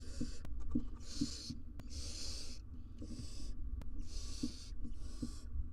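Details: Wild barn owl family, two adults and three nestlings, in a nest box filmed by live cam; five long, harsh hissing bursts about a second apart, with low rumbling background noise.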